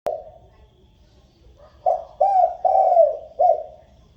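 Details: Spotted dove calling the flock, cooing as a lure: after a sharp click and a quiet stretch, a run of four low, hollow coos from near 1.8 seconds, the last two longer and drawn out, in a quiet setting.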